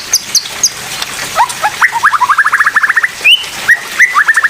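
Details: Oriental magpie-robin singing 'pastol' style, recording used for teaching other magpie-robins; faint high notes, then a long fast trill of rising repeated whistled notes, a bright upslur, and more rapid trilled runs.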